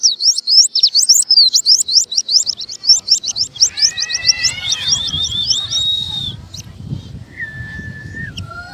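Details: Oriental white-eye giving fast, high twittering chirps in a run, then a drawn-out thin whistle, followed by lower whistled notes over a low rumbling background noise.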